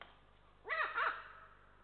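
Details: Adult Eurasian eagle-owl at its nest in Estonia giving warning calls as a lynx walks by: two harsh, arched barking notes in quick succession over a low steady background hum.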